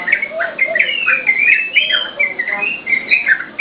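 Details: Yellow-vented bulbul in lively, chatty (gacor) song, used as a lure and tutor for cage birds: a steady run of short bubbly, slurred whistled notes, some rising, some falling, with a few lower warbles beneath.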